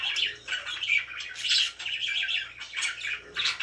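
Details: Happy pet budgerigars chattering in bursts of raspy chirps and short whistles, roughly every half second, overlapping voices in a small room, faint low hum underneath.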